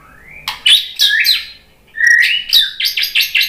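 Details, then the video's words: Murai batu, the white-rumped shama, responding to a lure recording with a rich, rapid song of sweet whistles, sharp chips and fluty slurs tumbling into one another in quick bursts. "biar BUNYI ‼️ MURAI BATU jadi kepancing NYAUT ikut GACOR ¦ PANCINGAN MURAI ¦ SHAMA BIRD"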